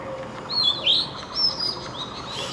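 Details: In the morning, a magpie-robin sings brief clear whistles, several sweet notes sliding up and down over about two seconds, with a faint background hum.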